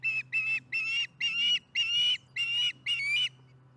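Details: Osprey calling at the Charlo nest during dinner, 15 July 2019, late afternoon: seven loud, drawn-out squealing whistles, each about a third of a second, repeated roughly twice a second, then quiet.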